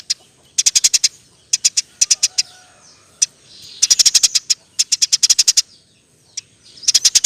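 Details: Eurasian tree sparrow in energetic 'gacor' form, a rapid 'roll tembak' song used as a master recording for training murai batu, cucak ijo, pentet, kacer and konin; high, dry chips in fast bursts of three to eight, separated by short pauses.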